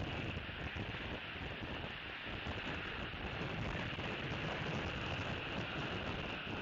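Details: Steady broadband roar of wind or rain buffeting the microphone, with no animal calls heard.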